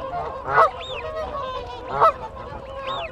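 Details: Whooper swans calling to keep contact within a group, recorded close. Two strong, brassy honks come about one and a half seconds apart over softer chatter. Clear swooping wigeon whistles and Canada geese are heard behind.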